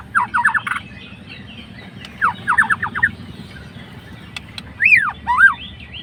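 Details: White-rumped shama of fighter type, singing to provoke a rival: two bursts of rapid clipped notes repeated in quick runs, then loud looping whistles that swoop down and up, over a steady low background hum.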